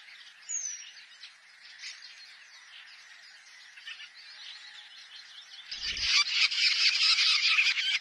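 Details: Long-tailed shrike, called cendet or pentet, singing in the klawu style: a continuous varied chattering twitter of quick high notes, swelling near the end into a louder, denser rapid burst of scratchy warbling.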